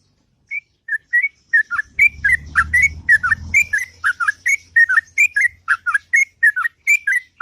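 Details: Morning song of a sooty-headed bulbul in long, sweet ngropel style: chains of short liquid whistles that dip and rise, delivered continuously, with a brief low rumbling noise early on.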